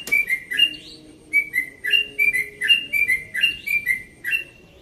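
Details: Yellow-vented bulbul, one and a half years old, from Bekasi, singing a rapid, relaxed song at dawn: clear whistled notes around the same pitch, slurred up and down in quick paired phrases repeated roughly every second.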